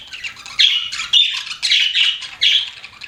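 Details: Pet budgerigars giving loud grating squawks and quick twitters, four or five sharp bursts in about three seconds.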